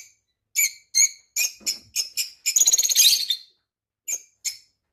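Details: Parrot giving sharp, high chirps in a loose series, building into a fast buzzy rattle of rapid notes midway, then a few spaced single chirps after a short silence.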